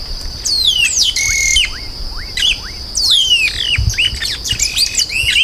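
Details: Yellow-rumped marshbird singing in a clean recording with no effects: loud downward-slurred whistles in bursts, short upward-sweeping notes between phrases, and a constant thin high tone underneath.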